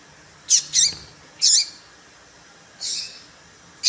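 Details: Papa-capim female call to stir males: a quick pair of sharp high chirps, then a buzzy one, a softer buzzy note after a pause, and the start of another chirp.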